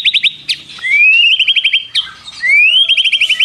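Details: Mimicking white-rumped shama song packed with prenjak-style trills: clear whistles sweep upward into fast high chattering trills, repeated twice in quick succession.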